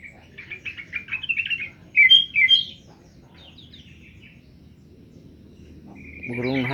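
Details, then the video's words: Newly caught bird, taken the previous day after Friday prayers, already singing: fast chirped trills, two loud sharp notes, then softer twitters, ending with a strong harsh buzzing sound. "Burung dpet kmren lngsung bunyi"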